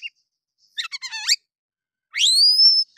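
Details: Oriental magpie-robin singing in harsh 'nembak' style, played to provoke other males: a quick run of buzzy descending notes followed by one long, bright upslurred whistle.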